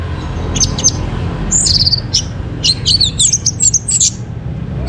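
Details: Morning orange-headed thrush song used to stimulate captive birds into breeding condition; bright, high whistled phrases and quick chirping notes in irregular bursts, with constant low background noise.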